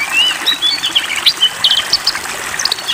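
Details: Oriental magpie-robin singing a rapid, varied run of clear whistles and sharp chirps, rising and falling in quick phrases, roused by water therapy (bathing/spraying), with a faint watery hiss behind.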